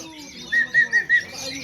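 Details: Oriental magpie-robin at a 2024 songbird contest in Aceh, Indonesia: four short, clear whistled notes on one pitch, evenly spaced about a fifth of a second apart, over faint chatter from other birds and people talking.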